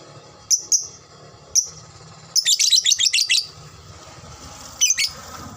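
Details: Lovebird lure recording meant to draw quick ngekek chattering from other birds: a few isolated shrill chips, then a rapid run of about eight harsh high notes, one more chip near the end, over steady background noise.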